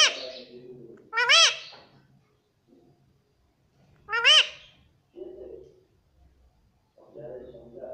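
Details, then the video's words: Talking Indian ringneck parakeet, a pet said to say "mummy": two loud, strongly arched, shrill calls about three seconds apart, each followed by low, speech-like mumbling syllables. "Indian Parrot Talking Mummy"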